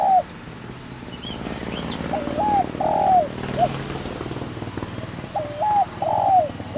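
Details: 'Thổ đồng' calling coos of a spotted dove, used to excite a decoy dove: two low three-part phrases over a rumbling background noise, with a few faint higher chirps from other birds.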